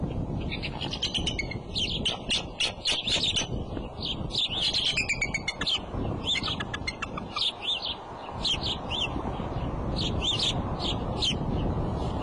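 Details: Bald eagle at the nest on the Decorah eagle cam, April 5 around 2:30 pm; the female gets up, calls and leaves, then the male comes in. Bursts of high, thin chittering notes in quick series, over a steady low rumble.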